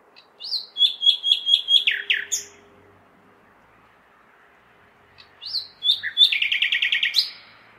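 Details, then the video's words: Nightingale singing in a big city on a May night, two phrases of rapid evenly repeated notes, the second ending in a fast rattling trill, with faint low hum between. "Śpiew słowika (nightingale)"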